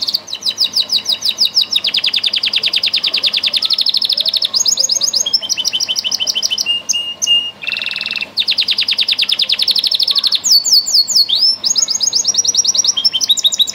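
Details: Belgian canary (Serinus canaria domestica), song.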